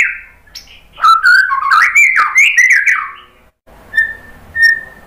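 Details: Provoking song of a White-rumped shama: a quiet opening note, a burst of tumbling, rapidly changing whistles and slurs, then after a pause two short clear whistles.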